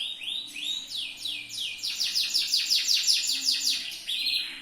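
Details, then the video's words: Yellow canary of the loper singing style, tutor recording for training birds: whistled upslurred notes give way to a fast run of repeated rising sweeps, about three per second, ending on a steady buzzy trill over a faint hum. "MASTERAN BURUNG KENARI/LOPER/JOS"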